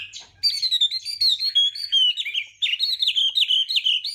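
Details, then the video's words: Chinese hwamei in morning voice training to spur singing, pouring out a continuous high whistled warble of quick wavering notes, clear and loud throughout. "hoạ mi hót sáng luyện giọng kich bổi sổ giọng chim hót hay mỗi ngày"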